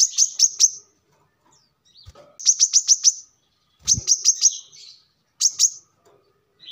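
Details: Short bursts of three to five piercing high notes from a brown-throated sunbird are separated by silent gaps, with faint low thumps between them. The recording is for luring wild birds or as a training model for birds.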